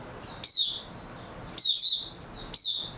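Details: Oriental white-eye on 3 March 2022, after a good sleep, gives three short, separate high chirps with slurred, slightly descending notes, about a second apart, with a faint thin tone in between.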